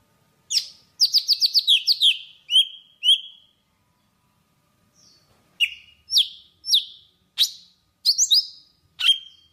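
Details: A Java sparrow singing to call its flock: a run of quick, high clicking chips, then bell-like notes that slur downward, in two bursts with a brief pause between.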